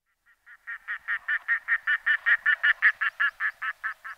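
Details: Red-throated loon giving a rapid run of about fifteen harsh, goose-like nasal notes, roughly two or three per second, swelling louder through the middle then fading, with a quiet background.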